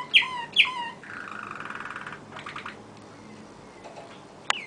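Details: Songbird giving two loud downward-slurred whistles, then a rolling buzzy trill lasting about a second, followed by short rattled pulses, soft faint notes and a sharp final click.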